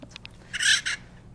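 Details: A captive acorn woodpecker ambassador bird gives a harsh, raspy warning call, used to alert family groups to danger such as hawks, falcons or crows, in two quick bursts, a longer then a shorter, after a few faint ticks.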